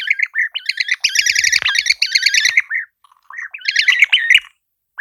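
European Bee-eater giving rolling, liquid, burry 'prruip' calls in quick runs, several birds overlapping, with a brief pause before the calls resume.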